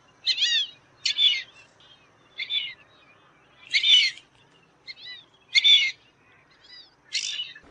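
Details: Repeated squeaky whistles of fulvous whistling ducks, recorded for use in hunting: short arched notes spaced every second or so, some doubled, with faint softer whistles between them against a quiet background.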